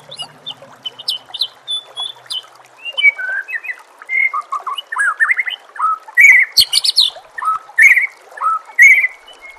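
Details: White-rumped shama song for training caged birds: a varied flow of fluty whistles, downward slurs and fast chattering bursts, growing louder, over soft trickling water.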